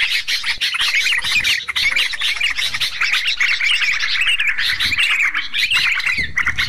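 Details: Sooty-headed bulbuls on a bird-luring recording give a dense, unbroken chatter of bright, bubbly chirps, several birds overlapping at a quick pace with no pauses between phrases.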